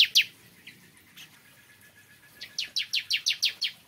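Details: Morning song of a bar-winged prinia: scattered high chirps, then a quick series of about eight sharp, down-slurred notes repeated several times a second.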